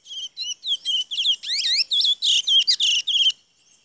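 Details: Chestnut-bellied seed finch singing at Saint-Georges on 17 May 2016: a fast, varied run of clear whistles, slurred rising and falling notes and buzzy trills, about three seconds long, then silence.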